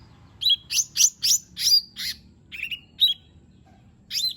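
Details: Lesser green leafbird singing fill-in phrases to coax a silent bird into song: a fast cluster of loud buzzy, sweeping notes, then a few spaced whistles.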